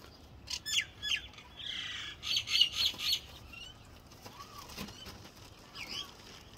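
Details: Common myna song: a loud burst of rapid chattering, squawky and creaky notes, then softer scattered whistles and a rising squeal near the end.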